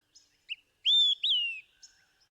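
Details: Olive-sided Flycatcher (Contopus cooperi) giving its three-part 'quick-three-beers' song, a soft short pip, then a loud rising whistle and a longer down-slurred note, with nothing else heard.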